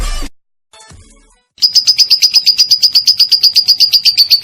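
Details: Lovebird konslet with long ngekek chatter, a master recording for songbirds: a brief burst of music and a short gap, then steady quick high chattering notes, evenly spaced, to the end.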